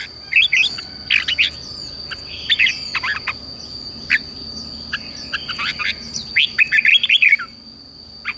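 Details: Red-whiskered bulbul singing to rouse newly caught birds into song: short warbled phrases and scattered chirps come in bursts every second or two, ending with a louder rippling run of notes; a constant high whine sits behind.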